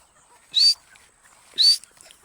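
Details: Partridge call used as a hunting lure: two loud, harsh, short bursts about one second apart, each carrying a sharp rising whistled note, over a quiet background with a steady high hiss.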